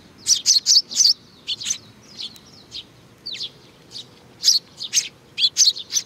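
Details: Sparrows arriving for food at Tenmangu, Nakanoshima, 21 June 2020, utter quick high chirps in small groups, a loud cluster at the start and end with softer scattered notes between.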